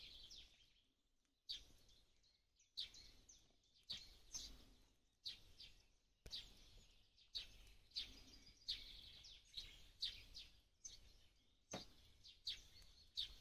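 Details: Sparrow in a Ukrainian forest in April 2023 gives sharp, high chirps in quick bursts about once a second, sometimes overlapping, over a faint outdoor hiss.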